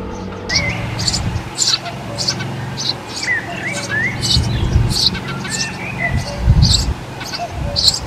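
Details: Eurasian tree sparrow nesting this year in a nest box where a great tit bred the previous year. It gives short, bright chirps repeated irregularly, with a few thin rising whistles below, over a low rumbling background.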